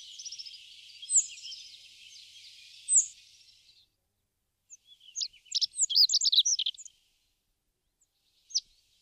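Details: In March 2019 at a feeding site in Crémenes, León, Spain, a rock bunting gives a thin, buzzy, wavering high trill with two accented notes, then after a pause a fast spray of bright, high twittered notes and one lone chirp.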